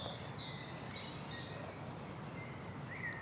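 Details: A small bird singing outdoors: thin high whistled phrases and a descending series of rapid notes, with steady low background noise throughout.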